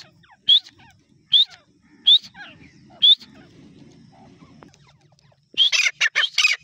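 A grey francolin gives four short, sharp rising notes about a second apart, then breaks into a louder, harsher burst of rapid ringing notes.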